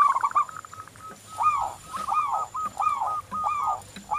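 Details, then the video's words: Local zebra doves cooing, meant as a lure to get others singing: quick pulsing notes open into a series of arched, rolling coos repeated about every second, with faint clicks behind. "Perkutut lokal Gacor Anti Galau"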